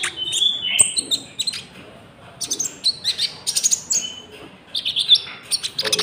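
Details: Common iora, locally konin, in a lure recording for trapping and for tutoring caged birds: bursts of high chirps and thin whistles come in clustered phrases separated by brief quiet gaps.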